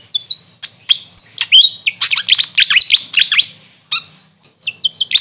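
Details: Grey fantail, called Maria Capra where recorded, delivering loud, rapid high twittering with swooping chirps for about three seconds, a short pause, then scattered bright chips.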